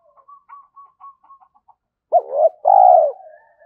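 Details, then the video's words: Spotted dove decoy bird, cooing to train captive doves: a run of faint soft ticking clicks, then one coo phrase of an abrupt short note, a swelling hoot and a long smooth falling coo. "tiếng chim cu gáy tập bổi new, giúp bổi rất nhanh gáy theo"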